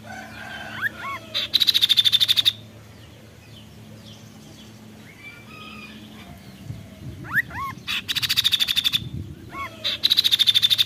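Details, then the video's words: A kaso-kaso bird gives loud, rapid, buzzy rattling bursts of about a second between short, upward-curving whistled notes, with a soft background hum. "Tembakan Mewah burung Kaso kaso"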